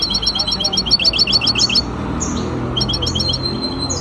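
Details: Hybrid goldfinch singing in a competition held at an association in Ain Chock, dated 23 May 2021: rapid repeated high twittering notes in regular bursts, then pauses and thin whistled slurs, over low background hum.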